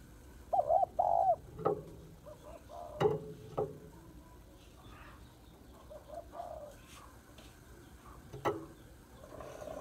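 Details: Female spotted dove calling to stimulate males, two mellow coos early on, then fainter coos mixed with sharp clicks and knocks for the rest of the recording.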